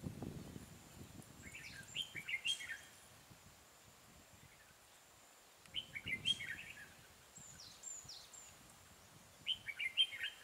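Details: Red-whiskered bulbul in Vietnam, 12 April 2018, singing a fighting song against a caged decoy during trapping; short bursts of bright, warbled whistles come in three phrases about four seconds apart, with faint low rustling between.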